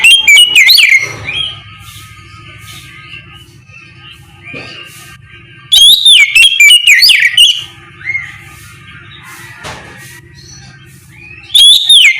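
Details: Oriental magpie-robin singing its loud ngeplong song in the morning, used as a lure to get other magpie-robins to answer; three bursts of rich, rapid, warbled whistles with sharp rising and falling notes, separated by quiet pauses with faint low hum.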